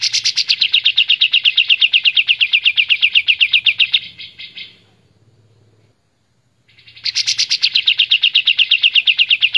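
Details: A white-shouldered triller gives a loud, high, rapid trill of clear repeated notes lasting about four seconds, then pauses and starts again; a master recording for training songbirds to copy.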